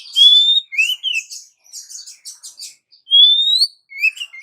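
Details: Female Oriental magpie-robin calling the male, a lure sound prized by keepers: a long clear rising whistle, two short upslurred notes, soft scratchy twitters, then the rising whistle again.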